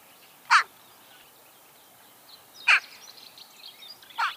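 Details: Daurian jackdaw, a bird of open sparsely wooded country in China known for puppy-like barks, gives three short, harsh, yelping calls, each a single bark about two seconds apart, over a faint hiss.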